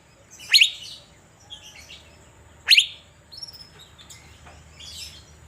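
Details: Asian fairy-bluebird in a cage, set out in the sun in Banjarmasin, delivers two piercing upslurred notes roughly two seconds apart, with soft chirps in the quiet background.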